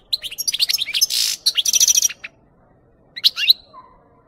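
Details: European goldfinch singing, recorded for training goldfinches to sing: fast liquid twitters mixed with a harsh buzzy note and rattling series, a pause, then a few bright chirps and a soft low whistle.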